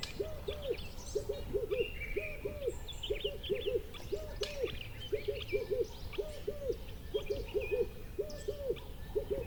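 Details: Outdoor birdsong with a steady series of low, rounded, arching notes, often doubled, repeating roughly twice a second throughout, while faint high chirps and short trills sound in the background over low ambient noise.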